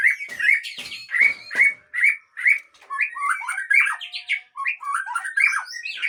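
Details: White-rumped shama of the Aceh type, kept at a breeding farm, opening with sharp clicks and loud repeated whistles, then a jumbled run of rising and falling fluty phrases with higher squeaky notes; quiet background.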